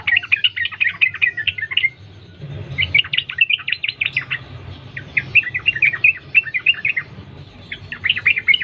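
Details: Sooty-headed bulbul singing vigorously in the wild, a continuous ropel-style song meant as a lure to start other bulbuls singing. Bursts of rapid, bubbly chattering notes run in phrases of one to two seconds, separated by brief pauses.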